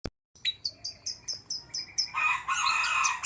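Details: Long-tailed shrike (cendet) in a lure recording meant to prompt a shrike reluctant to sing: a row of high, sharp chirps at a rapid, uneven pace, then a dense, harsh, scratchy burst of mixed notes.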